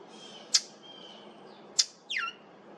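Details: Two crisp snapping clicks, then a quick harmonic note sliding sharply downward, given by a brown thrasher at Maple Groves Cemetery on July 8, 2023, in an unfamiliar vocalization.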